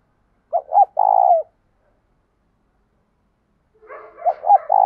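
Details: Spotted dove calling at dawn to draw wild doves, in the 'giọng thổ' style with 'thúc gù'. A single phrase of two short notes and a long coo is followed by a pause, then soft murmurs leading into the next coo.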